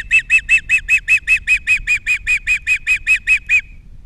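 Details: Nest-camera recording from Captiva, 21 February 2022, of an osprey at its nest with three chicks: a steady run of about eighteen evenly spaced, piercing whistled chirps, roughly four per second, with faint low background hum.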